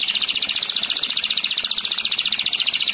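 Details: Canary master song meant for teaching other cage birds, dense and sharp: a fast, even rolling trill of high buzzy notes, roughly nine pulses a second, unbroken throughout.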